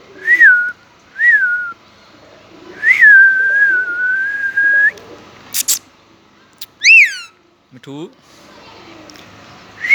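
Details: Talking pet Indian ringneck parakeet with an Urdu/Hindi voice: short arched whistles, then a long drawn-out level whistle, sharp clicks, one harsh screech and a brief lower warbled note.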